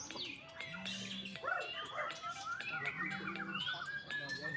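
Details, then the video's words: Young captive white-rumped shama in Bali, singing softer looping whistles that slide upward and down between chattery bursts, with a low droning hum pulsing twice beneath the song. "MURAI BATU MUDA"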